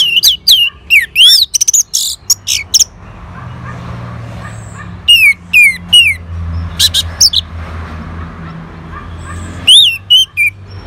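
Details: Reacting to a lure sound, an Orange-headed thrush gives bursts of sharp, varied whistled notes, some swooping down, separated by pauses with low background hum.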